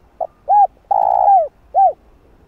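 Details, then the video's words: ['Spotted dove cooing as a lure for wild doves, its full lure-style phrase combining calling, urging and cooing. A short soft note opens, then a bell-like arched coo, a long vibrating rolled coo sliding down, and one more arched coo over near silence.'] "Cu Gáy Giọng Hạp Bổi Đủ Bài [ GÁY GỌI + THÚC + Gù ] Kích Cu Gáy Bổi Gáy"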